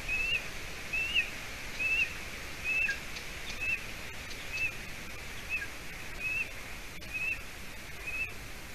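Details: Seven-week-old golden eaglet in a Latvian nest on a late June evening, the adult female having brought roe deer hide. Steady series of about a dozen high, thin whistled peeps, nearly one per second, with soft rustles.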